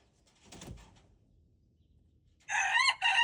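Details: Red junglefowl on February 13, 2025. A faint low rustle comes first, then a loud harsh crow starts near the end and is cut off after two rough sections.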